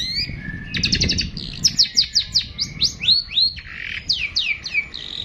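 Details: Long-tailed shrike, known locally as pentet, singing its long 'tembakan panjang' style: a fast, varied run of high whistled notes and sharp downslurred chips, some repeated in quick series, with rising and falling strokes throughout.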